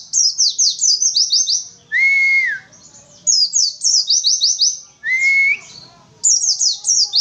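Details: Oriental white-eye (pleci), an untrained bird, singing in witwitwit style: fast bursts of high, thin, descending chirps, repeatedly broken by a clear whistled note that rises then falls, cycling about every three seconds.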